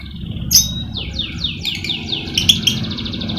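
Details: Caged lovebird song played to coax lazy lovebirds into singing: a sharp squeak, then a regular series of descending whistled sweeps about every quarter second, closing with high bright chirps.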